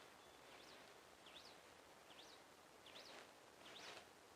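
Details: Hutton's Vireo on a Blanco County, Texas ranch preserve repeats a clear, slurred up-and-down 'chewie' note about once every 0.7 seconds, rapid, steady and consistent, over soft rustling background noise.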